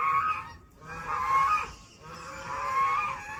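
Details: Ducks sounding in an unusual way: three long, drawn-out nasal honking notes, each about half a second or more, separated by brief pauses, loud and harmonically rich, over a low rumbling background.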